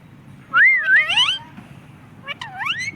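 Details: Talking parrot said to say "mummy papa"; two loud, voice-like harmonic phrases with wavering, sliding pitch, the first about a second long, the second shorter after a pause, over low background hum.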